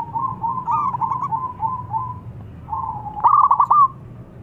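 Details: Local zebra dove singing to invite an opponent: a long series of soft, even, rolling coos, a brief gap, then a louder rapid stuttering cluster ending with an upward slurred note.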